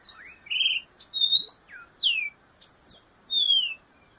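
A black-goggled tanager sings a quick run of high, clear whistled notes, some slurred down and some rising, in short bursts with brief pauses.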